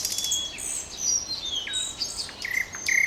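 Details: Short stretch of common nightingale song: thin high whistles at changing pitches, a falling note and a held whistle at the end.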